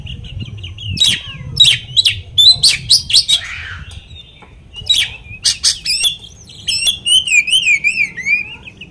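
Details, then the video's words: Varied song from an Oriental magpie-robin, used as a provocation to stir up rivals. Dense clusters of sharp chirps give way to a long high undulating warble at the end. "kacer materian bikin Kacer lain emosi pancingan burung kaker"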